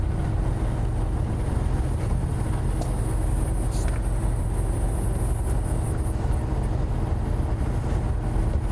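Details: Steady low vehicle engine rumble with no animal calls.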